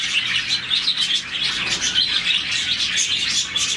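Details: Happy morning chirping from a captive group of around 40 budgies; a thick, unbroken high twitter with several short whistled notes standing out.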